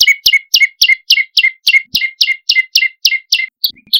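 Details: Lure recording of olive-backed tailorbird for attracting birds: a quick series of sharp chirps, each falling into a lower clipped note, repeated about three times per second, ending in a few scattered notes.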